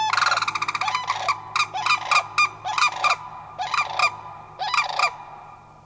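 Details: Three Sandhill Cranes, likely a family of two adults and a juvenile, answer cranes flying past on May 1, 2011, in Far North Bicentennial Park, Anchorage, Alaska. Loud, rolling, rattling bugles come in overlapping bursts, roughly two per second, from several voices.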